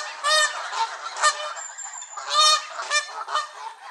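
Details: Agitated Canada geese from a gaggle at Elvaston Castle, 3 October 2015, give loud, harsh honks in overlapping bursts, about five in four seconds, with a brief thin whistle between them.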